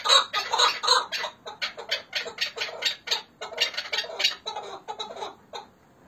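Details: Chukar partridges of Hakkari and Dersim, Turkey: rapid, rasping cluck notes in uneven bursts, several a second, fading out near the end.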